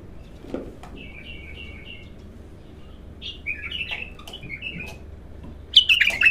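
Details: Bulbul giving raw song in its first singing session: a short run of soft, evenly spaced fluty notes, then louder bubbling warbles, ending in a loud, rich, rapid burst; faint clicks in the background.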